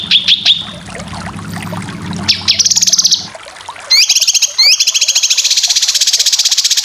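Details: Training song of a cucak kinoy for competition birds: a few sharp notes, a short buzzy phrase, then rising sweeps leading into a fast, even rattling trill.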